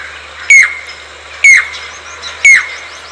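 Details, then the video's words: A Jacobin (pied crested) cuckoo, or chatak, gives three loud, ringing metallic notes about a second apart, each a sharp high whistle dropping slightly in pitch, over a faint hum. "चातक पक्षी की आवाज/Jacobin Pied Cuckoo Sounds/Crested pied Cuckoo Calls"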